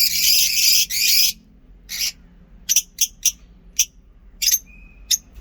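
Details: Lovebirds in a small private zoo singing: a long harsh screeching burst at the start, then a run of short sharp chirps spaced unevenly, with one brief thin whistled note near the end.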